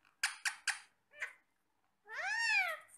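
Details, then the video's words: Indoor pet parrots eating apple: three sharp clicking ticks and a short note, then a long rising-falling harmonic squawk. "Talking parrots"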